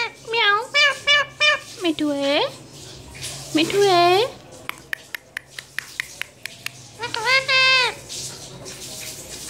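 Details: Indoor parrot speaking Urdu/Hindi: a run of short, evenly spaced nasal syllables, then longer swooping phrases, a string of sharp clicks, and a final drawn-out spoken phrase, over a faint low hum.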